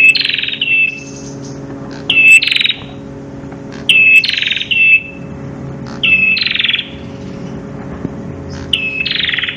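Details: Master song of the Prenjak kepala merah, crystal-voiced: five ringing phrases mixing a thin piercing whistle with a rough buzzy trill, spaced roughly two seconds apart, with a soft steady hum beneath.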